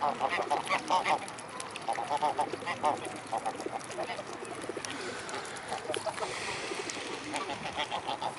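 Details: Flock of mute swans at Blaues Wunder, 25 May 2016, mid-afternoon: many overlapping nasal honks in quick bursts, busiest in the first three seconds, then softer scattered notes over background murmur.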